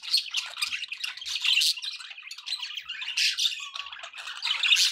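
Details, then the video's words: Several pet budgerigars keep up a busy, overlapping warble of buzzy chirps and squawks, with a brief clear whistle near the end and no pauses. "budgie sounds"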